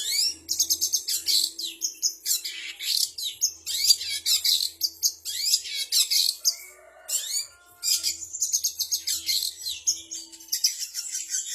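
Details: Long-tailed shrike (cendet) singing a mimicry medley of kapas tembak, canary, fighting sparrow (gereja tarung) and ciblek phrases. Dense high chirps and rapid trills run almost without pause, with brief gaps near seven seconds and a faint low hum beneath.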